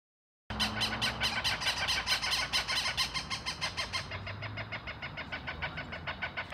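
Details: A Cooper's hawk in a park in Northeast Albuquerque gives a harsh, rapid warning cak-cak-cak, five or six notes a second, easing slightly at the end, while protecting young in a nest high in a tree; faint low hum beneath.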